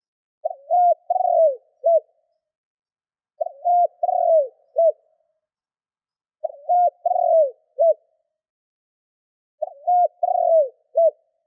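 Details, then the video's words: Decoy spotted dove cooing steadily to attract wild doves, four matching deep phrases about every three seconds, each with a short lead note, a level hoot, a sliding coo and a crisp final note. "Tiếng cu gáy mồi thúc gù kích bổi"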